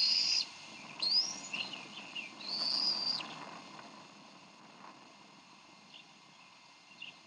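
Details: Decorah Bald eagle parents at the nest on 30 May 2012, clashing over a fish; several loud, high, piping whistles with upward slides in the first three seconds, then quieter hiss with faint chirps.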